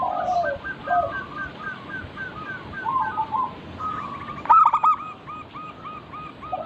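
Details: Local zebra dove lure song: lower warbled notes at the start, then descending repeated coos, a loud stacked burst, and a string of evenly spaced hooked notes to the end.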